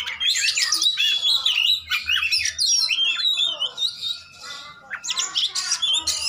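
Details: Fighting oriental magpie-robin as a lure for silent birds: busy run of high whistles and chirps, easing briefly in the middle before sharp, scratchy notes return.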